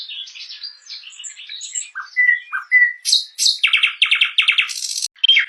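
A nightingale sings a rich, varied phrase: scratchy warbles and pure whistled notes, then rapid rattling trills and a harsh buzzy burst, in quick succession.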